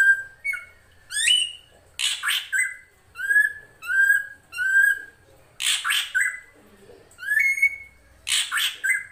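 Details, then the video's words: Drongo song recorded as a master for tutoring songbirds like the magpie-robin, white-rumped shama and shrike. Held whistled notes, rapid stacked high chips and harsh broad rasps alternate in a busy, varied sequence. "MASTERAN SRIGUNTING KRANTIL FULL ISIN"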